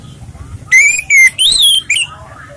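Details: Orange-headed thrush singing in a relaxed style suited to luring other birds: four loud, clear whistled notes in about a second, the first two level, the third rising then falling higher, then a short higher note.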